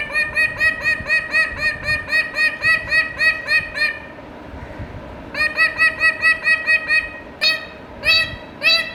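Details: Indian ringneck parakeet talking to itself in a fast, even run of clipped nasal syllables, a pause, another rapid burst, then two louder rising squawks.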